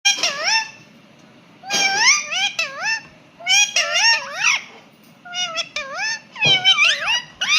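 An Indian ringneck parakeet gives a series of bright, wavering, cat-like meows in short bursts with rising-falling inflections, in a small indoor room.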